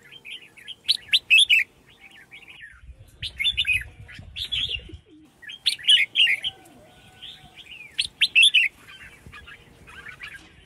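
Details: Female red-whiskered bulbul, calling so males will sing, repeats loud bursts of sharp chirps and bubbling warbled notes every few seconds, with a brief low rustle midway.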